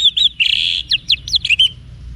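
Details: Orange-headed thrush (anis merah) singing in the 'wiksar' style, used to train caged birds. A clear, high phrase of whistled notes with a sustained buzzy note, then quick falling and rising slurs, with a faint low rumble underneath.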